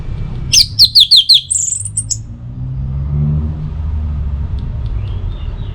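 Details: Orange-headed thrush, used as a morning and evening lure track to get other birds singing, gives a brief burst of five quick, high whistled notes, followed by fainter chirps over a low rumble of background noise.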